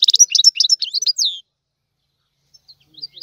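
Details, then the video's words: Short phrase of goldfinch tiwawati song from a tutor bird: about a second and a half of fast high twittering ending in a drawn-out downslurred note, then near silence. "تغريد الحسون طيواواطي"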